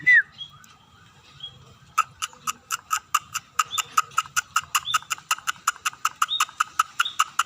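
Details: Scaly-breasted munia singing actively: a single rising whistle, a pause, then a long, steady rattle of about two dozen crisp clicks, with soft whistles scattered through it.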